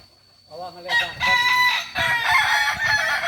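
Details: Kukuak Balenggek rooster at a group training session in Ampang Kualo, Solok city. After a quiet start, a loud, rich crow breaks into linked tiers of held, wavering notes lasting about two and a half seconds.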